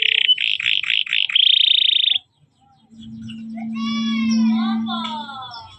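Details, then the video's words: Canary training recording in the cuit cuit style: a two-second run of rapid repeated chirping notes, followed by a steady low droning hum with sliding higher tones. "burung kenari - cuit cuit masrteran kenari paud"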